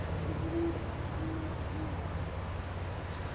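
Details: Distant owl in the woods, heard near an area with structures; listeners first called it a whooping of unknown source, and some suspect a great horned owl. Soft, low hoots come in a broken who, who-who-who rhythm under a steady rumble.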